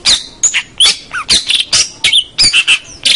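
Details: Chatty cendet, or long-tailed shrike, used as a song tutor for local birds: fast, harsh, buzzy squawks broken by brief whistled upslurs and downslurs, delivered almost without pause.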